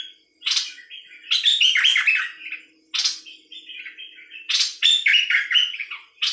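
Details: Nok dok taeng bird singing loud, busy twittering phrases of rapid varied chirps, broken by brief pauses and a single sharp note, with no other clear sounds.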